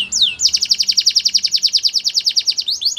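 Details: Canary delivering one long rolling trill of identical bright notes, roughly nine per second for over two seconds, opened and closed by short whistled slurs.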